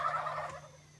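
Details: A Rio Grande wild turkey on a South Texas ranch in the morning, among about 25–30 hens and a flock of about 15 males, gives a quick, rattling gobble that tumbles downward and fades.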